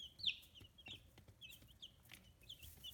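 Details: Sparse high peeps from fifteen-day-old free-range chicks in Kitahiroshima, Japan, one louder call followed by softer scattered cheeps amid clicks and rustling.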